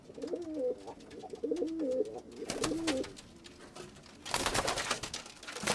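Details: Same baby pigeon recorded at two weeks and at four months of age, giving three short rising-and-falling coo phrases about a second apart, followed by loud clattering or rustling noises indoors.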